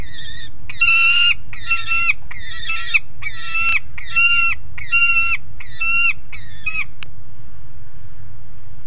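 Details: Noisy juvenile peregrine falcon on the nest grate at Alphen aan de Rijn, 30 July 2016 around 12:30: nine harsh, nasal, harmonic-rich calls in a steady series, each about half a second, over a low rumbling background.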